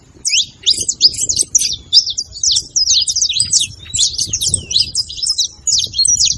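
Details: Saffron finch singing to encourage a quiet canary, a lively run of high, jerky chirps and quick up-and-down notes delivered almost without pause across six seconds.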